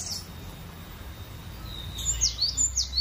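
A cinereous tit gives a quick run of high, clear whistled notes, each sliding downward, repeated about three times a second after a quiet stretch of low background hum.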